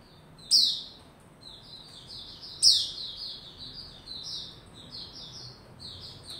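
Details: Caged white-rumped shama cranking up into open form and singing, recorded 27 December 2021: two loud, sharp downward-sweeping high notes about two seconds apart, between them a run of soft, high, warbled phrases in steady succession.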